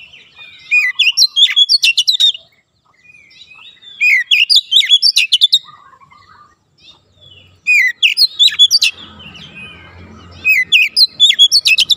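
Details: Oriental magpie-robin song for conditioning young birds to sing rapid, tight bursts: four separate volleys of fast sharp chirps and whistles with quiet gaps between, and a low rumble late on.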